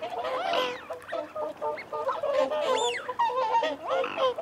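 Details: Whooper swans calling while feeding and holding territory, a dense chorus of trumpeting honks and short nasal notes, several birds overlapping in rapid succession.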